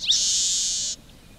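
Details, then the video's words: Red-breasted meadowlark singing: a single harsh, buzzy, high-pitched wheeze held steady for nearly a second, after a brief thin opening note, in quiet surroundings. "Canto do Polícia Inglesa do Norte"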